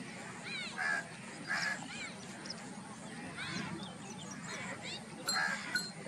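A plover gives loud, harsh, ringing calls in bursts about every second, some doubled, over a steady low rumble of wind or distant traffic.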